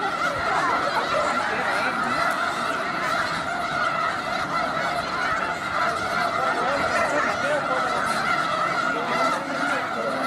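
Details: Snow geese massed in an enormous flock in Skagit County, Washington: continuous loud clamor of many honking birds layered together, a constant roar of nasal calls without pause.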